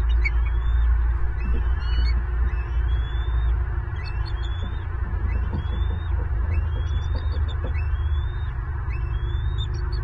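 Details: Angry adult bald eagle on a Southwest Florida nest, 25 February 2023, mid-feeding with two eaglets. Rapid series of sharp, thin piping whistles, many upslurred, chattering almost continuously above a deep wind roar.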